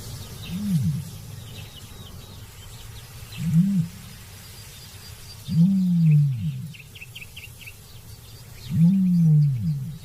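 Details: Male common ostrich on the eastern edge of the Namib Desert at the height of the dry season, in near-100-degree heat and hot dry winds, gives deep, lion-like territorial booms made with a throat pouch: four low rumbling pulses about every three seconds, faint small birds chirping above.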